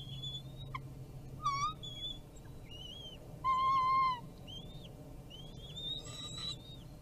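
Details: Bald eagle at the nest in Kisatchie National Forest, from a forest service live camera on 12.01.2022: thin, high whistled notes and chirps, one longer steady whistle, then a rising chittering series, over faint background hum.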